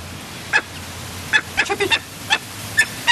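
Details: Barbary falcon chick aged two weeks, fed by a one-year-old imprinted gyr x peregrine hybrid female. Irregular short, clipped harmonic chirps are spaced unevenly over three seconds, some in quick pairs and triplets, over faint background noise.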